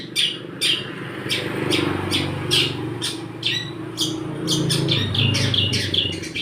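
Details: Long-tailed shrike performing its 'church' imitation song, harsh chattering notes spaced irregularly roughly every half second, with low engine-like rumble running underneath.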